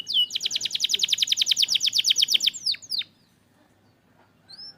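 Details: Canary in Indonesia singing, used to rouse canaries that have gone quiet: a steady fast trill of even pulses for about three seconds, a couple of downward sweeps, then near silence with a faint note at the end.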